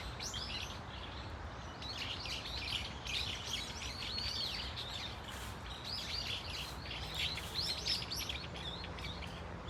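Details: Dunsan Grand Park Brown-eared Bulbul flock, many birds giving varied shrill chirps and squeals in clustered bursts, pausing briefly between bouts, over background rumble.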